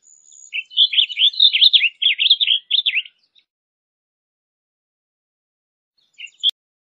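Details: Warbled blue grosbeak song of rapid zigzagging notes for over two seconds, then silence, and a short pair of notes near the end.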